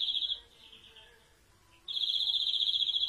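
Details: A European greenfinch's song: a brief trill fading into softer warbled notes, a pause, then a sustained rapid trill.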